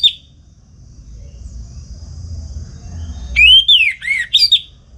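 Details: Morning ngeplong song of a household orange-headed thrush from Singaraja, North Bali, used to stimulate and tutor other songbirds: after a near-silent stretch, a rich burst of rising and falling high whistles with a few sharp notes.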